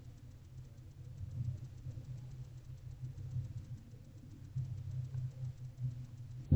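Low rumbling hum with soft shuffling and a brief knock at the end, no animal call heard.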